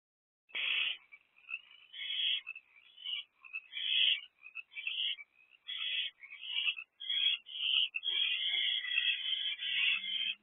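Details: Owlet in an owl box at 7:50 pm on 1 April 2024, excited about the first incoming food delivery of the night: harsh, raspy hissing bursts come almost continuously, overlapping and growing denser toward the end.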